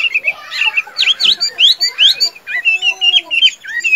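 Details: Chinese hwamei, a tame caged bird said to sing and fight well, mixes short upslurred whistles with rough chattering notes in a quick, uneven phrase, some notes with a scratchy edge.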